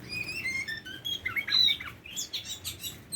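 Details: Tame Oriental magpie-robin singing a run of clear whistled notes at varied pitches, some sliding down and some rising, ending in a quicker burst of high, twisting, jumbled phrases.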